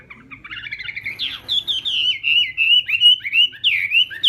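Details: Chinese hwamei practising its morning song, beginning with soft quick chatter, then a long fluent stream of loud, rapidly wavering whistles.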